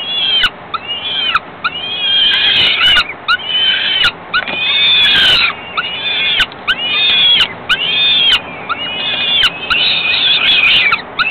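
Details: Falcon chicks fed by the female a few hours after ringing: a steady run of harsh, arching screams in quick bursts roughly every second, several voices overlapping, with occasional sharp taps.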